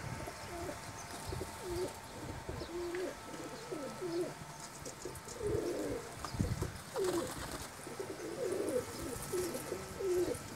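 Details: Domestic pigeons kept at home for hobby breeding: several low, throaty coos repeated irregularly about every few seconds over a busy, noisy background with rustling and clatter.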